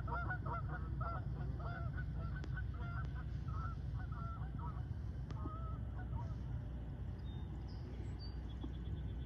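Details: Morning takeoff of Canada geese: a burst of overlapping, rapid honks in the first few seconds, thinning into sparse calls as the flock moves off, over steady low-frequency rumble.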